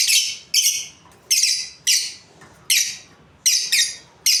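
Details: A breeding pair of Australian lovebirds chirping steadily, harsh shrill squawks often paired in quick doubles and repeated roughly every half second to second, loud and continuous in an indoor setting.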